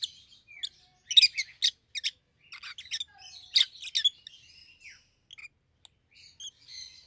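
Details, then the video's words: Kept pair of rosy-faced lovebirds, one yellow, one green, both red-headed, chattering busily: rapid strings of harsh chirps and squeaks, dense at first, then thinning to scattered soft notes. "Lovebird's Sounds - Lemon & Melon - Rosy-faced Lovebird"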